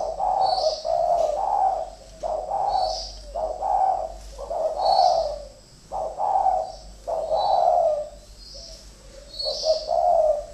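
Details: Two decoy spotted doves fighting, giving a run of low, husky cooing notes in short bursts, roughly one phrase every second, with fainter high-pitched chirps repeating above them.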